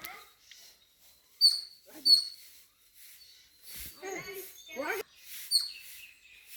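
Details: Birds at home chirp in sharp high notes, two close together then more after a pause, as a woman talks gently in Tamil nearby and rustling sounds come and go.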